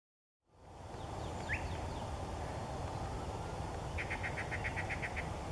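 A Yellow-breasted Chat gives a few scattered upslurred notes, then a quick run of about nine clipped, evenly repeated notes, over a steady low roar of wind or water.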